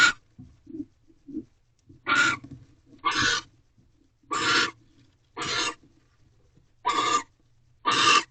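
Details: At a barn owl nest box near midnight, a male arrives with a rabbit for the female in the egg-laying period. Loud hissing shrieks are repeated about once a second, with quiet short clucking notes in the gaps.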